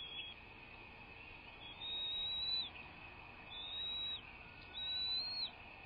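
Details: American bald eagle at its nest, live nest cam, 01.03.2024 at 06:39: three drawn-out high whistled calls, each sliding and dropping sharply at the end, about a second apart, over a steady electronic hum.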